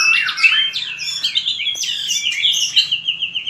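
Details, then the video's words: Competitive song of a white-rumped shama under voice training, a short burst of high, fluid, warbled whistles that slide up and down without pause. "Luyện chòe lửa hót đấu/luyện giọng chòe lửa/kích lửa shama bird"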